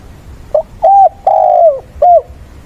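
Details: Spotted dove, a decoy bird, cooing at the weekend to rouse wild birds, calling mates and singing to fight: a short coo, then three hollow, level coos, the middle one longest and falling at its end.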